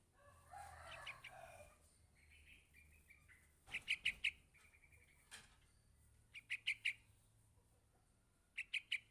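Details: Yellow-vented bulbul chick calling its parent: sharp, high chirps in quick bursts of three to four, repeated a few times, with softer, lower chattering and a faint background hum early on.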